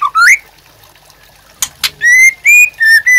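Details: White-rumped shama used as master song for captive birds: rising slurred whistle, a pause with two sharp clicks, then clear level whistled notes repeated about twice a second.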